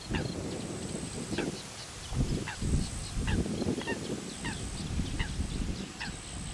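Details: Common pochard ducklings feed on small water insects, fish and frog young under their mother's watch. Short falling peeps repeat about twice a second over dense low splashing noise and a faint high whine.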